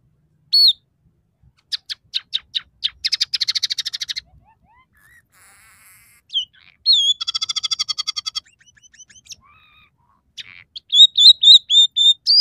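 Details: A scaly-breasted munia sings a high jumble of quick clicks, buzzy rattling trills and thin drawn-out whistles, with phrases said to include imitations of sparrow, red siskin and canary, broken by short pauses.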